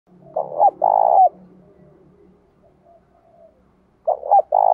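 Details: Spotted dove singing in the thổ pha đồng voice style, a provoking song meant to stir rivals to fight and to train decoy birds: two loud three-part coos, short notes then a long held note, with a low hum beneath.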